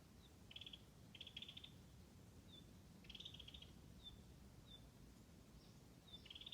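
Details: Unidentified wild bird singing in spring along a Tanzawa mountain forest road: short bursts of high, rapid chirping notes, repeated in clusters roughly every second or two, over a soft low background rumble.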